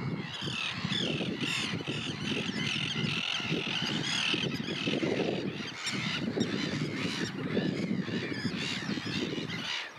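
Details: Common tern in Russia, a dense run of overlapping harsh, scratchy calls from several birds for ten seconds, over a heavy low rumble.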